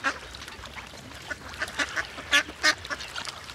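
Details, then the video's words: Ducks in a group swimming on water alongside great white pelicans, calling in unison; rapid bursts of loud nasal quacks, several notes per second, with two especially strong harsh calls near the end. "It's nice to see a lot of ducks swimming together and it's nice when they sound together"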